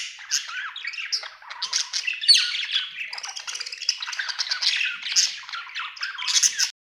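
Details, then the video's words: Happy budgie delivering steady scratchy chatter of squawks and chirps, evenly busy throughout, ending abruptly. "Happy budgie chirping sound"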